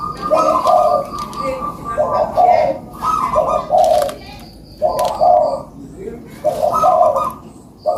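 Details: Puter dove cooing, played to lure lazy caged doves into singing: low mellow coos in rounded phrases every second or two, with faint background chatter.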